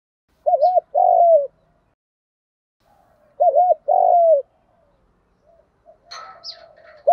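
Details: Spotted dove, male and female birds kept for training, calling in the gáy gọi and thúc style to stimulate other doves: two phrases of short hollow coos ending in a longer slurred, falling coo, then faint chirps.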